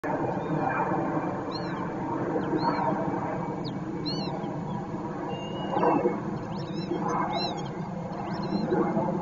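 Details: Northern lapwing pair calling in alarm, distressed about their chick and chasing it away from herons; thin slurred rising-falling notes come repeatedly above a loud steady low rushing background.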